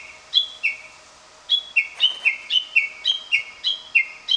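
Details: Lesser cuckoo singing in a home garden on 22 July 2021, in summer; it calls almost daily, morning and evening. Rapid whistled phrases of high clear notes, each step dropping from a higher to a lower pitch, repeated several times in quick succession.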